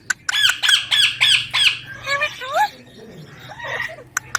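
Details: Baby ringneck parakeet squawking in a rapid series of about five loud, harsh, upward-swept calls, followed by softer bent whistles and squeaks, with a low background hum.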